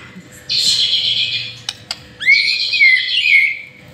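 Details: White-rumped shama in full lure song, a long buzzy harsh phrase, brief clicks, then a swooping whistled note blended with rasping overtones.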